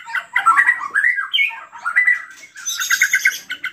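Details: Agitated white-rumped shama singing to draw out other shamas: quick jumbled whistles and a rising slur, then a fast rattling series of high and mid notes.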